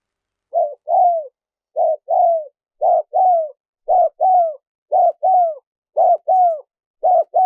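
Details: Spotted dove cooing, played to stimulate decoy birds and lure wild doves: paired phrases of a short low coo followed by a longer, falling coo, repeated roughly once a second, clean with no other sounds.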